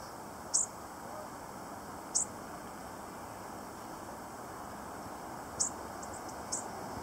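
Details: A lone bushtit at Gas Works Park gives four tiny, very high, sharp tsit notes, spaced irregularly over seven seconds, above a steady roar of broadband traffic-like noise.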